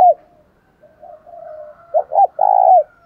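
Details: Spotted dove decoy cooing to attract wild birds: a clipped note, soft low murmuring coos, then a strong phrase of two short hoots and a long sustained coo.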